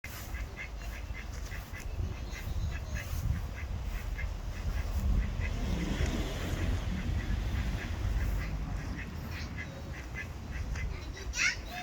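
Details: Ducks at a pond quacking in short, nasal bursts repeated irregularly, roughly ninety-five per minute, several birds overlapping, over a steady low rumble of wind or background noise.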